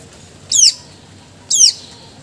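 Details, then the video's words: Greater green leafbird (cucak ijo) in full song, showing off its 'isian' repertoire: two short, bright, steeply falling whistled notes about one second apart, with the start of a third at the end, over a quiet background. "Cucak ijo gacor bongkar isian full"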